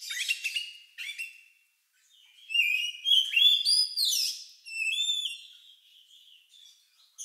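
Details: Song of an Oriental magpie-robin, described as odd and reminiscent of a lovebird, used to get other birds singing: brief chirpy bursts, a pause, then bright whistled phrases with rising and falling slurs.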